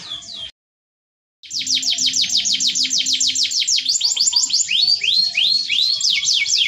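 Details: After a brief silence, a canary resumes a fast rolling song of high descending notes repeated about three per second, shifting into rising swept whistles; performance styled as gacor, cengkok mewah.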